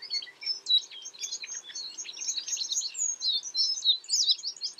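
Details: Chirping of American tree sparrows: busy overlapping high twitters and sharp tweets, several birds calling at once in a steady unbroken chatter, with a few brighter slurred notes standing out near the end.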